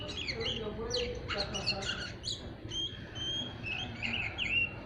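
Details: Kept young, still-untrained oriental magpie-robin giving its "ngeriwik" chatter: a quiet, continuous stream of thin squeaky twitters and short whistles, low in volume against a hissing background.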